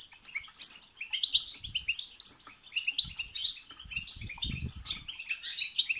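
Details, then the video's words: Goldfinch singing to set off another goldfinch: loud, rapid sequence of bright chirps, tinkling high notes and short buzzy trills, steady throughout, light low rustling underneath. "بتبتة وستستة تخرج الحسون عن السيطره..... هيجان خرااافي تسببه هذه البتبتة نار على نار سيغرد حسونك"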